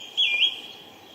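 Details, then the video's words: A lesser spotted woodpecker gives a single short, high, slightly squeaky note over a faint steady high-pitched background tone; recorded 19 April 2018. "Lesser spotted Woodpecker"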